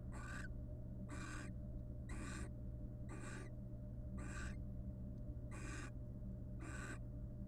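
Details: Two wild barn owls in a nest box courting through mutual preening; seven loud, raspy hissing bursts spaced about a second apart, each rough and noisy, over a continuous low drone.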